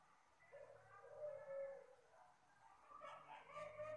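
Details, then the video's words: Gentle call of a Puter Pelung dove, kept as a lure for other birds: a smooth sustained coo followed by a second wavering, slightly higher phrase, with light background hiss. "suara burung Puter Pelung lembut,, ampuh buat pancingan"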